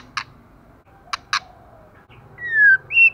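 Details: Heavily moulting female white-rumped shama singing intensely: three sharp isolated clicks, then a long falling clear whistle and a short higher whistle.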